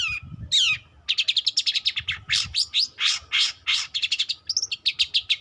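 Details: Young long-tailed shrike learning to sing: an opening falling whistled slur, then a dense run of scratchy, buzzy chattering notes with mimicked-sounding chirps, rapid and varied, over a faint steady hum.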